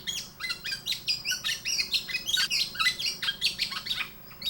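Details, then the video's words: A male Black-naped Oriole sings a courtship serenade to call a female in the breeding season: a rapid, unbroken run of bright whistles and sharp chirps, several notes each second, high and lively throughout. "꾀꼬리 수컷은 암컷을 불러 사랑의 세레나데를 들려준다."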